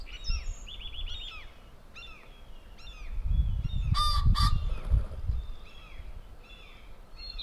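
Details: A male common pheasant in a garden in southern Sweden on 20 May 2015 gives one loud, harsh, hoarse double crow, calling out to a friend; small songbirds chirp throughout over a low rumble of wind.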